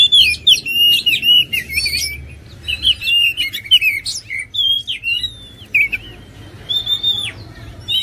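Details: Oriental magpie-robin singing, meant to rouse other birds to sing: rapid varied whistles, slurred notes and sharp chips in quick bursts, with a soft low background hum throughout.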